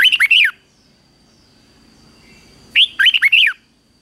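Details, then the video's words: Red-whiskered bulbul competing song from a 2024 morning training session, aimed at stirring young birds to sing. Two quick phrases of five or six sliding, whistled notes, about two and a half seconds apart. "Luyện chào mào hót sáng | chào mào hót đấu"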